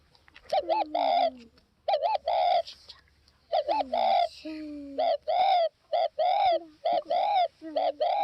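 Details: Northwest Vietnam spotted dove cooing almost continuously in short-short-long phrases of soft, throaty notes, overlapped by lower, falling, whistle-like calls.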